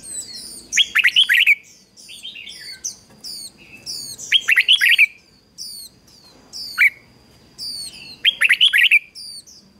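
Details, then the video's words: Decoy red-whiskered bulbul singing to call in wild birds and urge others to sing: short, loud, bubbly warbled phrases repeated every two to three seconds, with high, sharp chirps from other birds in between. "Chào Mào Mồi Hót Gọi Chim Rừng Kích Chim Hót Hay"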